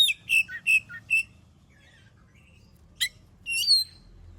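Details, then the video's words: Oriental magpie-robin (kacer) song used as a lure to set other birds singing: a quick run of four clear whistled notes, a pause, then a sharp click and a rising, sliding whistle. "Suara burung kacer gacor paling ampuh buat pancingan"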